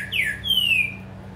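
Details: Captive green-winged saltator, moulting but singing well, on 19 July 2022, gives two clear, falling whistles: a short slurred note, then a longer sweeping one, over a faint low hum.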